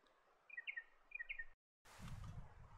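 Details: Spotted pardalote of the eucalypt forests and woodlands of south and eastern Australia, giving two soft three-note whistled phrases, a higher note dropping to lower ones, then a burst of rustling noise.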